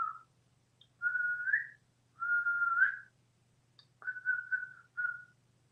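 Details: Captive pet African grey parrot, hatched in 1997 and living indoors in Texas, whistling the Andy Griffith tune on request. Clear, steady whistled notes come in four short phrases, several gliding upward at the end, with a faint hum behind.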